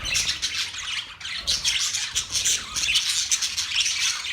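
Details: Group of birds recorded October 3, 2023, giving rapid, high-pitched chirps and scratchy squawks that pile over one another in a lively, continuous chatter.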